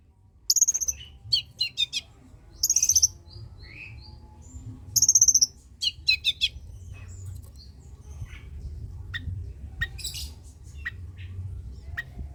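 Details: Long-tailed shrike song used to stimulate reluctant shrikes: three short bursts of high whistled trills mixed with scratchy chatter in the first half, then scattered faint clicks and a steady background hiss.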